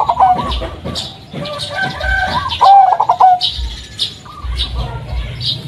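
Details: Striped local Blorok Madu zebra dove singing, its unique deep voice meant to set off other doves: a loud, fast-pulsed coo phrase mid-way amid quieter cooing and faint chirps.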